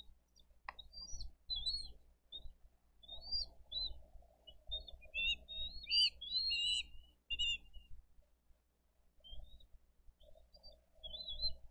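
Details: Bald eagles at a Dade County wildlife rescue nest cam, 22 April 2023, as parents bring fish and feed two eaglets: a busy run of high, thin chirps and short whistled notes, clustered mid-clip, over low wind rumble.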